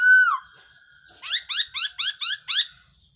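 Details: A single clear downslurred whistle, then a rapid run of six short hooked notes from a Black-throated laughingthrush, its call used as a decoy for trapping birds.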